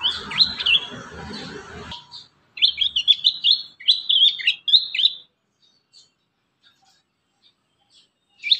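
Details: Young-prinia training lure: clusters of high, rapid chirps in three short bursts, followed by near silence and a last brief note.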